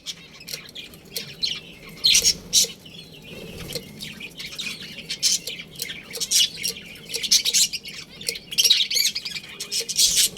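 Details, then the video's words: Budgerigars kept as a colony with a breeding pair give continuous bright twittering and harsh squawks, many birds calling at once in quick irregular bursts over a faint low hum. "Adorable Budgies Chirping Sounds"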